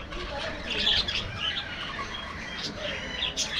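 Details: Budgerigars in an aviary feeding in the afternoon, giving scattered short, bright chirps and tweets that come in loose clusters over a soft background murmur, with faint flapping and a louder burst of chatter near the middle.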